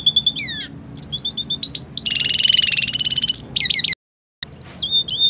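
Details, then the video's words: Red siskin × canary hybrid song used as a tutor song for songbirds: bright, high quick twittering and clear whistles, a fast buzzy rattle midway, a brief cut to silence, then more whistled phrases. "red siskin silang kenari"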